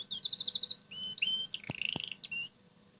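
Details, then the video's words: Indoors in the morning, a red canary eating boiled egg yolk hums a soft song: a quick even trill, a clear whistled slide, then a buzzy rolling trill, with two sharp taps in between. "Red Canary singing eating boiled egg"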